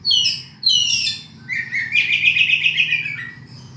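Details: Oriental magpie-robin singing a varied phrase: two high descending chirped notes, then a rapid buzzy trill of repeated notes that drops slightly in pitch, with a faint low hum beneath.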